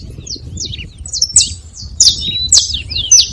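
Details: Saffron finch making noise at a feeding spot: scattered high, thin chirps and short downward-sweeping notes, a few louder sharp chips spaced roughly half a second apart, over a soft low background hum.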